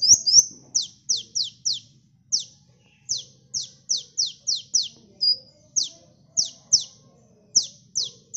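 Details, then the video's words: Persistent sunbird song used as a bird lure: a long sequence of piercing, very high downslurred notes in loose groups of two to four, one short level whistle midway, over quiet background hum. "Suara burung KOLIBRI gacor"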